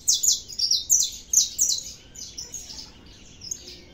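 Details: Saffron finch, locally canário da terra, delivering a quick song phrase: several loud, high, ringing chirps in rapid succession, then fading into softer, spaced notes.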